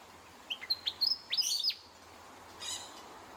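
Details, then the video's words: A Willie Wagtail in Australia in the morning gives a quick run of sweet, high whistled notes that slide up and down, followed by a brief, fainter scratchy burst. "Willie Wagtail Call"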